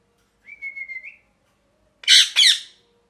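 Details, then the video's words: Parrot giving a short, level whistled note that lifts slightly at its end, followed after a pause by two harsh, loud squawks. "Parrot Chirping Sounds | Natural Parrot Sounds | Parrot Calling Sounds"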